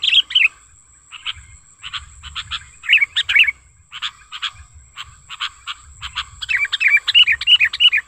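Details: Lively, natural-sounding lure calls of a sooty-headed bulbul, used to attract and tutor others of its kind: scattered sharp chirps and short clicks that turn into a quick series of looping, bubbly whistles near the end.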